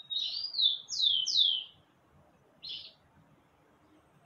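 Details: Bananaquit giving a short burst of three or four thin, high, downslurred notes in quick succession, then a pause and a single isolated high note, in a quiet setting.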